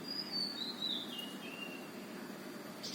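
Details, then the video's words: Sunbird calling at a house in New Delhi near Qutab Institutional Area: thin, high whistled notes that step downward over about a second and a half, over a steady low background hum. "#sunbird #birds making sounds"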